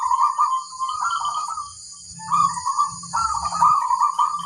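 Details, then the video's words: Wild female zebra dove calling flirtatiously: bubbling, trilled coos at mid pitch in three phrases, the last longest and loudest, with a faint steady high-pitched whine in the background. "Suara burung perkutut - betina centil di alam bebas mengoda"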